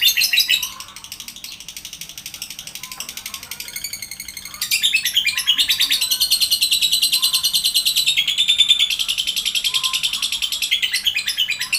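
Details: Lovebird chattering nonstop: a dense, rapid stream of high, buzzy chirps that swells louder halfway through and keeps a fast, steady pulse to the end.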